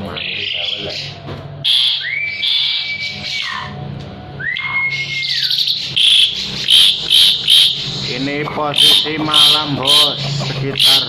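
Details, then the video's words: Vigorous Asian pied starling song for training other birds: grating chatter, two long level whistles, then a fast run of raspy, hissing bursts mixed with twangy, nasal notes. "JALAK SUREN GACOR"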